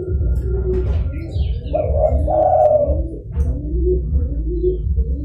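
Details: Zebra dove lure call for trapping: a strong rolling coo phrase near the middle, followed by softer, lower murmuring notes, with a steady low rumble and thin high bird whistles behind.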